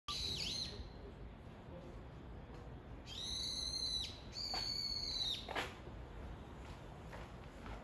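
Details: Brown-eared bulbul calling its mate: a few loud, harsh, high calls in short bursts, one near the start and two close together later, over constant background hiss and distant noise.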